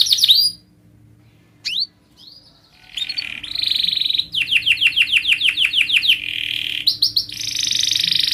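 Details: Contest-training canary song: scattered sharp upslurred chips with gaps, then a dense trill, a quick series of repeated downward-sweeping whistles, and a closing run of steady buzzy rolls.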